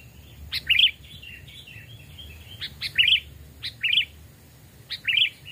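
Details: Captive sooty-headed bulbuls, two and three years old and hand-raised from nestlings, tested in a forest; includes a small and a large type. Bright chirpy phrases of quick up-and-down notes, repeated roughly every one to two seconds.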